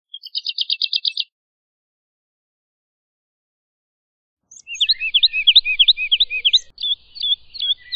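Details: Woodlark, Lullula arborea, giving a short rapid trill, then after a pause a run of repeated fluty downslurred notes, about three per second, with faint background hiss.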